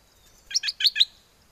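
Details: Bulbul kept in a cage at Chana, Songkhla, Thailand, calling a mate with wild-type song on a windy day: a single crisp phrase of four quick, loud, slightly descending chirps, clean with little background.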